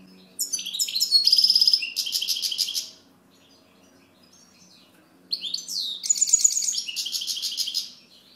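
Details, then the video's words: European goldfinch delivering two bright tinkling song phrases separated by about two seconds of quiet, each packed with fast twitters and a dry rattling trill. "Chant Chardonneret"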